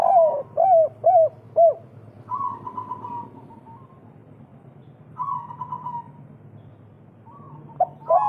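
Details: Spotted dove, local type, kuk 3 song meant to raise other doves' breeding urge; four deep curved coos open, followed by two higher quavering trilled phrases and a renewed pair of coos.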